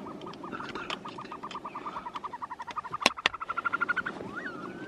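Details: Caspian snowcock calling: a fast, even series of short notes that speeds up and grows louder, with a couple of sharp clicks near the middle and a rising, curlew-like whistle at the end.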